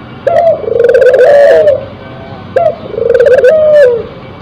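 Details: Spotted dove, a crossbred bird in breeding condition, cooing loudly. Two phrases about two seconds apart: each opens with a short, rising clipped note, then a long, wavering, slightly rising low coo that fades. The background is quiet.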